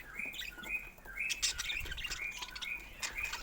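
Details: Pet budgerigars giving soft, short chirps and warbled notes at a steady pace, with faint clicks and rustling behind.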